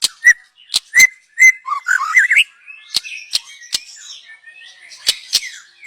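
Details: Young forest white-rumped shama, song used as a lure: several sharp clicks and short whistles, then a quick rising warbled phrase, then softer scratchy chatter punctuated by more loud clicks.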